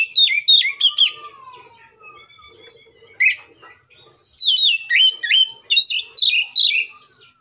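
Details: Oriental magpie-robin giving an agitated fighting song meant to provoke other magpie-robins into singing: loud bursts of sweeping, whistled notes between 2 and 6k, a quiet gap with faint distant chirps and a thin whistle, then another rapid run of phrases.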